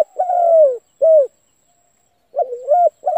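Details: Spotted dove cooing, played to get a decoy bird calling. A drawn-out falling coo is followed by a short clipped one. After a pause, a dipping two-part coo opens the next phrase. The background is clean and quiet.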